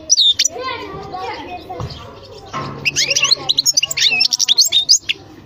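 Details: European goldfinch singing: after a stretch of low voice-like sounds, a rapid burst of high, bright, tinkling twitters fills the second half, with quick notes jumping up and down.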